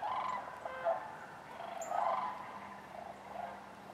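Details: Sandhill cranes with other waterfowl at Wheeler Wildlife Refuge in Decatur on January 12, 2013: rolling, trumpeting calls from a distant flock blend into an overlapping chorus, with occasional higher bird notes.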